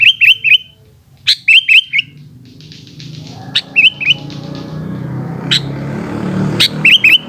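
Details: Sooty-headed bulbul in the afternoon repeating short groups of two or three lilting whistled notes, while a rising wash of broad noise builds underneath toward the end.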